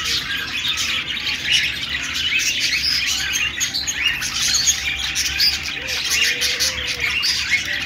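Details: Australian parrots, budgerigars, making happy chirping sounds: continuous high twittering chatter with sharp squeaks, and a couple of soft lower drawn-out whistles late in the sequence.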